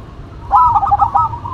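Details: A single short, loud phrase from a duet of a local and a cemani zebra dove: a quick, rolling string of clipped cooing notes after brief quiet.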